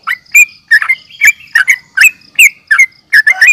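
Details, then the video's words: Agitated yellow-vented bulbul, fighting call used to lure and provoke other bulbuls: quick chirps, each bending down then up, about three a second, ending in a rougher double note. "trucukan gacor NGGARUDA UPLIK TARUNG"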